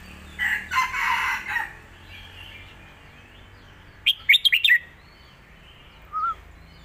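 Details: Red-whiskered bulbul, a caged singing bird, playing a clear master song for teaching young birds: a quick burst of four or five bright, bubbly whistled notes, then one soft note, after a harsh, crow-like call.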